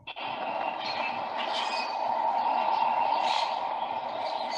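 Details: A steady train rumble with a squealing brake tone and no animal calls.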